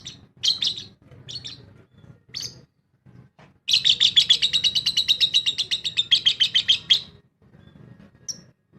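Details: Lovebird in an aviary colony, a few scattered sharp high chirps, then a long fast run of shrill, evenly pulsed chirps for about three seconds, ending in a few soft notes.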